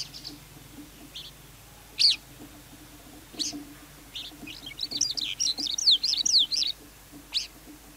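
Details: Lark with scattered sharp high notes, then a fast, varied warbling run of chirps and slurred whistles lasting nearly two seconds, ending with one more sharp note.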